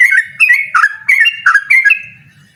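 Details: Yellow-vented bulbul calling out to provoke a rival into a rapid song duel: five quick, gurgling, slurred notes in a tight burst, then a fading pause.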